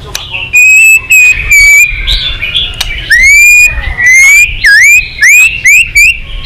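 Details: Excited White-rumped shama singing in many voices, giving loud clear whistled notes. Level whistles lead into rising and falling slurred phrases, delivered in bursts separated by short pauses.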